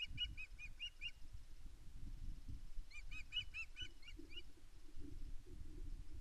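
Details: Female osprey at Loch Arkaig nest one, 5 May 2024, calling loudly for fish to her mate: two bursts of rapid, high, piping notes, five or six per burst, over steady wind rumble.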